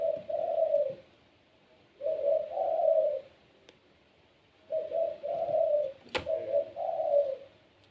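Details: Kept puter pelung spotted dove in lively gacor voice, used to make other doves join in. Three mellow, hollow coo phrases, each two or three rolling notes, come about every two seconds. A sharp click breaks in near the end.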